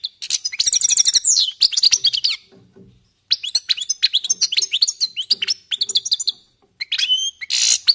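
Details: Lively, sustained twittering of goldfinches warming up: long runs of tinkling, liquid notes and trills with buzzy passages, broken by two short pauses.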